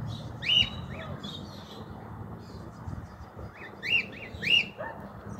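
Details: Cockatiel at liberty on a rooftop, recorded in 2023 where the species is not usually found; a series of sharp upward-sweeping whistled calls, some in quick pairs, with faint low rumble behind.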